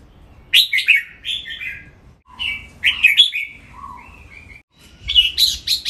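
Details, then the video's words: Red-whiskered bulbul kept as a cage bird in Thailand, singing a competition-style training song: rapid, jumbled, liquid warbles and chirps, a lower mellow whistle near the middle, then a final loud burst of sharp chattering notes. "นกกรงหัวจุก ร้องเล่นริก"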